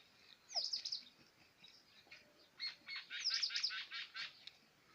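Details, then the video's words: Quail (batair) from Pakistan, where birds are farmed or kept as pets and their call, the kirk, is prized in competitions; two bursts of high, harsh chirps, the second a longer run of about eight rapid notes. "batair sound"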